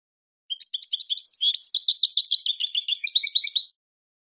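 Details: Spanish-type European goldfinch song meant as a model for cage birds: a few soft slurred notes build into a crowded, fast twittering jumble of bright high notes lasting about three seconds.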